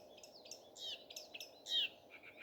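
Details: Common nightingale singing in the morning: a quick run of varied high notes, short slurred whistles and a louder falling sweep near the end, over steady low background noise.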